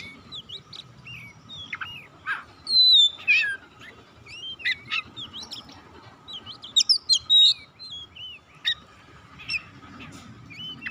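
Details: Stimulating song of an Oriental magpie-robin (kacer), intended to get a silent bird singing again: a lively sequence of short whistled slurs, downward sweeps and clipped chips, densest near three and seven seconds.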